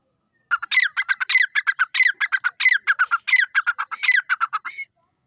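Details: Female Dakni grey francolin of a new Irani pair kept for breeding season calling: a rapid, steady chain of grating, squeaky notes, about four seconds long, with no other sounds.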